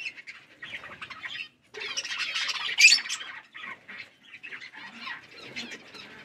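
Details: Parrots at their food, chirping and squawking: harsh, grating high calls in bursts with short silent gaps, peaking in a loud shrill squawk midway, then scattered chatter.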